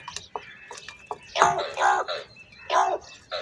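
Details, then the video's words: Crows in a large group fighting over food: several harsh, hoarse caws, some overlapping, in bursts of about half a second, with softer short calls scattered between them. "Crow Bird Unity Anger And Sounds | Large Number Of Crows Ki Natural Awaaz And Fight For Food"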